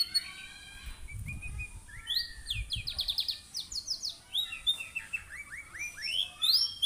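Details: Singing canary, played as a prompt for other canaries to join in: varied twittering phrases, buzzy trilled runs and bright up-slurred whistles, with a few soft low thumps in the background.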